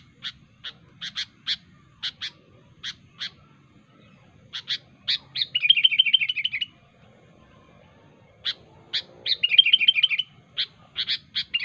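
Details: Sooty-headed bulbul in the wild, singing sharply to draw rivals. Scattered bright chips lead into a rolling trilled phrase, then a silent gap, then more chips and another fast bubbling trill. No other sounds stand out.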